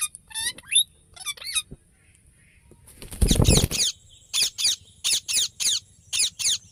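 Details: Rose-ringed parakeet chirping: harsh, high squawky notes in rapid bursts, some with stacked bands, a loud broadband rustle near the middle, then a regular series of short sharp squawks.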